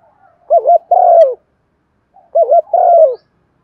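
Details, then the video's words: Spotted dove used as a trapping decoy, Thổ-style calling coo: the same phrase given twice, each a quick doubled low note followed by a longer buzzy coo falling at the end, clean background. "tiếng cu gáy mồi chuẩn gáy gọi dùng kích bổi vang cả buôn làng"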